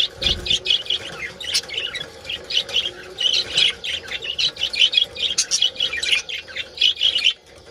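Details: Continuous budgerigar colony chatter in the mating season, a busy stream of high chirps, squeaks and warbled twitters that grows denser and louder toward the end.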